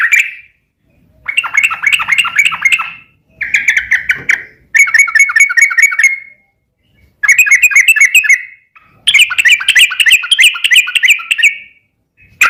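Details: Yellow-vented bulbul song played to train a bird to answer: loud bursts of rapid, bubbly chattering notes, each lasting one to three seconds, separated by short silences.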